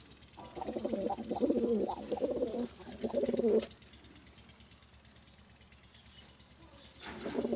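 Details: Low, burbling pigeon coos repeated in a run for about three seconds, then a long quiet stretch before another coo begins near the end.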